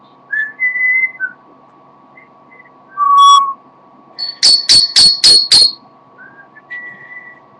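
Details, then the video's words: Tired pet parrot singing indoors: short whistles, a loud pure whistled note, then five rapid harsh repeated notes in a row, ending with a soft level whistle. "the parrot sings a little"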